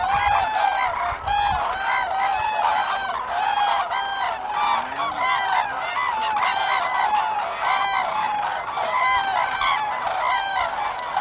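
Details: A large flock of common cranes at Sweden's Lake Hornborga in April 2017 keeps up a constant chorus of trumpeting, echoing calls, layered and evenly loud throughout.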